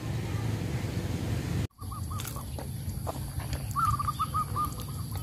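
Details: Zebra dove, a caged lure bird set in a tree at a cemetery in the afternoon to attract wild doves, calling continually with repeated runs of soft, rapid, stuttering coos at mid pitch over a heavy low rumble and thin steady high whine.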